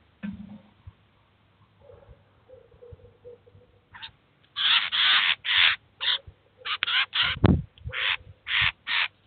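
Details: Adult Eurasian jay feeding and teaching its chicks at a cheese feeder in Kaluga city; soft low murmuring notes at first, then loud harsh rasps in an irregular series of about a dozen short bursts.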